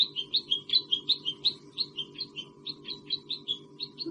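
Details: A Red-whiskered Bulbul calls while waiting its turn at food among other birds, giving quick, bright chirping notes at about three a second over a steady low hum.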